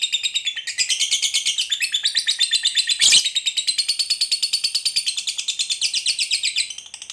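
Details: Long ngekek chatter from a lovebird of fighter type, played as bait for lovebirds reluctant to sing: dense, high, scratchy pulse trains with a sharp loud burst midway.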